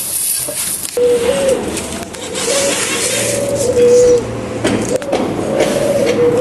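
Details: Caged pet doves calling in the morning, giving low, steady coos with slight rises, repeated in bursts after an opening second of noise, with a short pause near the middle.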